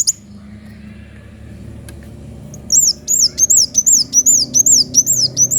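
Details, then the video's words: Sunbird (kolibri wulung) singing actively with a sharp voice: after a quiet start, a fast run of very high, thin, rising-then-falling whistled notes, about two or three per second, against faint low background hum. "Kolibri wulung gacor suara pedes"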